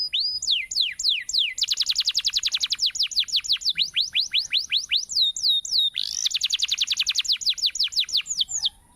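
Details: Canary singing loudly: rapid runs of high, downward-sweeping whistled notes, several per second, broken into fast trills and a brief pause near six seconds, with no other sounds.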